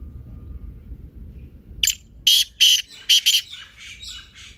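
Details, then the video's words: Black francolin voice for stimulating a quiet francolin to call. Low hum at first, then a burst of five loud, scratchy, chirring notes in quick succession, ending in softer trailing rasps. "کالے تیتر کی مست بولنے کی آواز | Kaala Teetar Short Voice / Kalay Teetar Ki Awaz"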